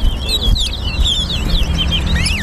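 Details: Chestnut-bellied seed finch, known as towa towa, in a singing race between two birds at Harbour Bridge: quick whistled notes and slurred phrases, repeated without pause, over a steady low rumble.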